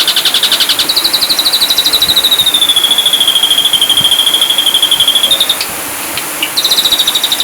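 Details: Ashy drongo in continuous full-burst song: a rapid pulsed trill turning into a long, gently falling whistle held for several seconds, a short gap with clicks, then the trill resumes.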